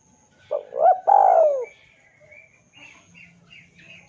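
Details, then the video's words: Spotted dove lure call meant to draw a rival: one husky coo phrase, a short double note then a longer falling coo, with faint high chirps of other birds afterward. "PANCINGAN SUARA BURUNG TEKUKUR DERKUKU MEMANGGIL LAWAN IKUTAN BUNYI"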